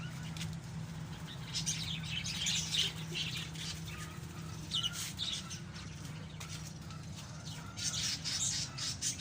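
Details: Several pet African lovebirds chatter with rapid, shrill chirps and squeaky bursts over wing flutters, backed by a steady low mechanical hum.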